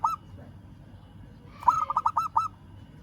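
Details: Local zebra dove calling a rival: one short note, a pause, then a quick burst of about five throaty, pulsed cooing notes at mid pitch lasting under a second, over a low steady background rumble.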